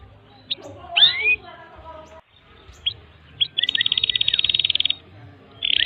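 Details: Canary tutor song (masteran) for young canaries: quiet scattered chirps and a slurred double note, then a dense, buzzy, rapid high trill lasting over a second, with a brief buzzy burst at the end.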